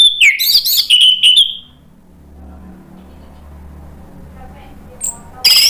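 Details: Orange-headed thrush pouring out a quick burst of high, ringing whistles and chirps, sung to draw other birds into song, followed by a lull with low background hum and a final short phrase.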